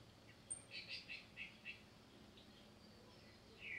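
Ruby-crowned Tanager giving a short run of about five high, thin notes, roughly four per second, then falling quiet over a faint background hiss.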